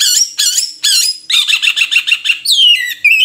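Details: ['Oriental magpie-robin (murai kampung) singing loud, rich phrases: three harsh, layered notes, then a fast run of rhythmic chattering notes, ending on a slurred, descending whistle.']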